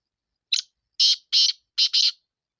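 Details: Sindhi black francolin calling: a short harsh note, then four loud rasping, grating notes in quick succession, the last two run together, clean with no other sounds.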